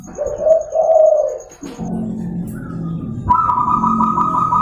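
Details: Local zebra dove morning song used to lure and train other doves: two warm, wavering coos at the start, then lower droning tones and a sustained higher note, with a constant background hum.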